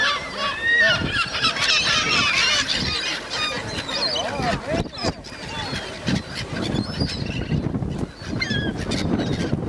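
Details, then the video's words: Seagulls being fed at Cramond near Edinburgh, a crowd of birds giving dense, overlapping harsh squealing and yelping calls, many rising and falling, with steady low rumbling background noise throughout. "Seagulls being Fed at Cramond near Edinburgh"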